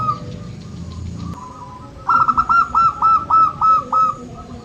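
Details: Local zebra dove, played to stir birds that rarely sing: a softer run of notes, then a loud series of about seven clipped, ringing cooing notes repeated rapidly and evenly, each with a brief upward lilt, over faint background noise.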